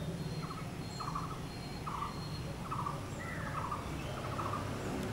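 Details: Blue-throated barbet calling, brisk rolling notes in pairs and singles about once a second, with a low steady hum underneath and a few thin high whistles from other birds.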